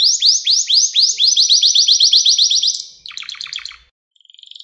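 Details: Canary recorded for training young canaries to sing: loud rapid series of rising sweeping notes, about four per second, then a lower buzzy rattling trill and a brief high steady tone at the end.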